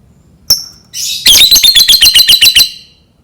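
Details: Lovebird sound used to prompt lovebirds to learn to sing: a single sharp note, then a rapid run of about ten shrill, buzzy chirps repeated roughly four times a second over faint room hiss.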